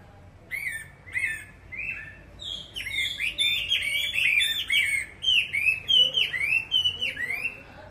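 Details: A captive Chinese hwamei, one of two birds filmed indoors because of rain, sings a rich, fast run of loud whistled and slurred phrases, rising and falling, with brief chirps in the opening seconds.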